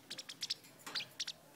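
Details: Female pet parrotlet chirping as her owner calls to her on a Saturday afternoon; a quick run of thin, high, clipped chirps, about eight notes in under two seconds, some doubled, over quiet room background.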